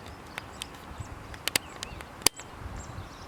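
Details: European stonechat (Saxicola torquatus) in Zamudio, Bizkaia, Spain, on 2 June 2019, gives hard clicking 'tack' notes like struck pebbles, with thin high whistles between, over a quiet background.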